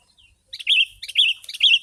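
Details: Sooty-headed bulbul singing as a lure for wild birds, described as lively and persistent: a sweet, bubbly series of short warbled phrases, each rising then falling, given three times in quick succession with almost no background sound.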